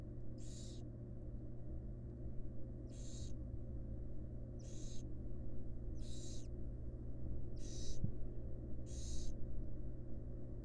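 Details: At a nest box, a wild female barn owl feeds her young fledglings while rasping hisses sound six times, roughly one to two and a half seconds apart, each short and noisy, with a constant low hum beneath.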